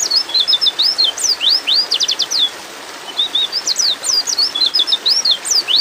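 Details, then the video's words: Female pleci, a white-eye in breeding mood, calls for a male in nearly continuous rapid chatter: thin, high chirps and whistles sweeping steeply up and down, including a fast buzzy trill of stacked notes, with few pauses. "terapi pleci bikin cepat ngalas"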